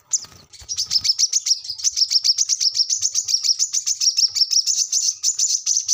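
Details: Brown-throated sunbird in vigorous song, a recording meant to prompt captive birds to sing: a continuous, rapid stream of high, sharp twittering notes, about three or four per second.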